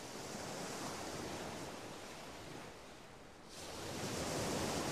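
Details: Recorded at Audierne Bay in spring 2022, broadband surf and wind noise swells and briefly dips, with no animal voices.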